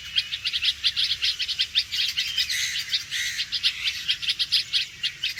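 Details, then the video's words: Red-vented bulbul giving its alarm call: a rapid, steady series of sharp, high chipping notes, roughly five per second, with a few lower slurred notes midway and no other clear sounds. "Red Vented Bulbul Alarm Call"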